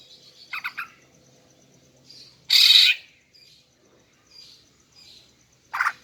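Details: Female greater green leafbird luring call aimed at males: a rapid triple chirp, one long harsh rasping burst, faint soft whistles, then a short chattering note at the end.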